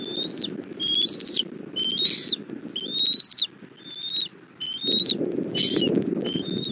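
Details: At a Southwest Florida bald eagle nest on 1 April 2024, 17:30, the mother brings food to the chick, nest cam: repeated shrill, upslurred whistles about once a second, with a loud rustling background that drops out briefly midway.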